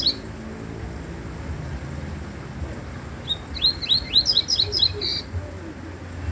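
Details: After a quiet stretch, a double-collared seedeater, called unusual, breaks into a brisk series of rising high chirps for about two seconds, ending in a short buzzy note.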